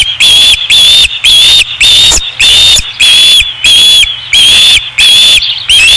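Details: Osprey calling at the Dunrovin Ranch nest on 5 August 2016. Piercing whistles come in a steady series of about ten notes. Each is level or gently rising, and the last one dips at the end.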